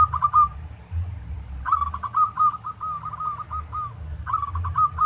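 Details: Local zebra dove, master song for teaching other doves: three trilled phrases of rapid bent notes, the middle one long with about ten notes and a drawn ending, over a steady low rumble.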